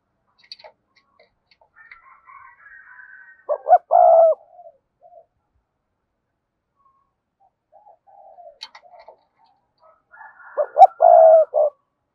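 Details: Two thúc gù phrases from a cườm sa spotted dove roughly seven seconds apart, each short notes then a long coo and closing note, preceded by soft murmurs and faint higher chirps in the background.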